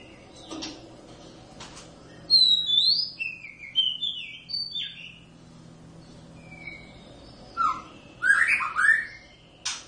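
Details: Song of a captive Oriental magpie-robin from a wild pair kept at home: loud, clear whistled notes in quick varied phrases, rising and falling slurs, pauses between bursts, with clicks at the start.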